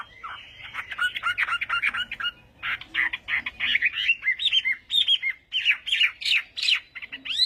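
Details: Loud, crowded morning fighting song from a Chinese hwamei during voice training, with harsh chattering notes mixed with rapid whistles in irregular bursts that grow brighter toward the end.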